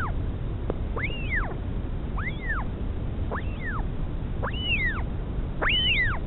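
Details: Northern royal albatross colony at Pukekura/Taiaroa Head, Dunedin, New Zealand, 2016; mother feeding chick, live nest camera: a run of six looping, arched squeals about a second apart, the last loudest, over steady low wind.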